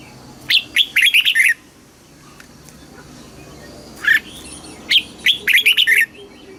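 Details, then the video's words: Southern master-style song of a red-whiskered bulbul from Thailand, for stimulating caged birds: a fast cluster of bright warbling notes, a silence, then a single note and another rapid phrase. "เสียงนกกรงหัวจุก สำหรับต่อ หรือ เปิดให้นกคึก เสียงเพราะๆ"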